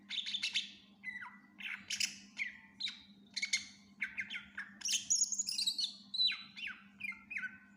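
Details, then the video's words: Greater green leafbird in full song rich in fill-in phrases: alternating harsh chattering bursts and clear downward-sliding whistles at a lively, regular pace, with a high trilled passage midway and a low hum throughout. "Cucak Ijo gacor FULL Isian"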